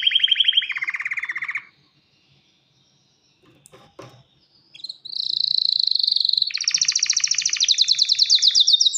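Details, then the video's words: Mating-ready male canary calling a female with song: rapid pulsed trills that step lower, a near-silent gap with faint knocks, then a rising series of loud fast rolling tours held to the end. "تغريد كناري ومناداة للتزواج"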